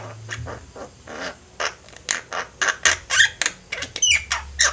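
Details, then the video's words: Chorus of Javan mynas for training birds: softer scratchy notes at first, building into louder rasping squawks with a few whistled, wavering tones, about two calls a second. "Jalak ombyokan gacor, cocok buat masteran"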